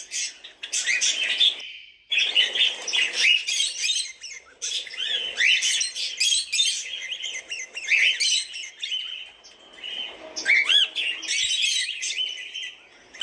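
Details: A group of cockatiels keeps up busy overlapping chirping and squawking, with short upward whistled notes scattered through the chatter.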